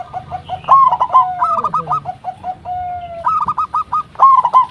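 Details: Local zebra dove lure call to get other perkutut answering: a soft opening coo, then rapid stuttering runs of mellow notes, a drawn-out lower tone, and a final quick burst of coos.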